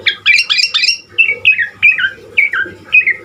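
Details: Asian pied starling singing its varied fill-in song: a burst of rough, layered squawky notes, then a regular sequence of falling whistles, roughly two per second.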